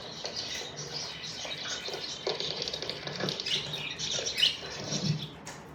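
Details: Contented budgies twitter constantly, their rapid, raspy chirps running together into a steady high chatter, with a few louder squeaky notes near the end and faint low rustling underneath.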